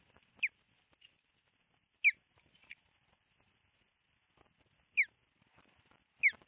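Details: Osprey at a camera-monitored nest in southwest Finland on 25 July 2023, as one bird flies high with a stick in its claws. Sharp, clear, descending whistled notes, spaced a second or more apart, with faint chatter between them in a quiet setting.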